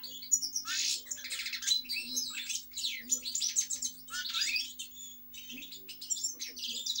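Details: European goldfinch song made of bubbling twitters and descending slurred notes in short bursts separated by small gaps, with a low steady hum behind.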